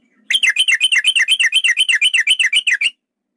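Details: Yellow-vented bulbul, male, in the long rolling 'ropel panjang' fighting style, used as a lure to make other bulbuls sing and get agitated: one fast run of about sixteen bright whistled notes, evenly repeated, lasting under three seconds.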